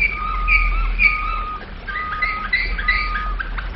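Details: Domestic canary singing flute-style (flawta) song: clear, pure whistled tones held steadily, with a lower whistled line and a brighter upper line changing pitch in short phrases, over a faint low hum.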